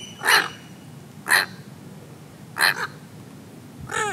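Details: Light-morph Pacific reef heron on Heron Island, Great Barrier Reef, Queensland, Australia, 28 July 2019 at 08:40, gives four harsh, hoarse croaks, roughly one every second or so, over a soft background hiss.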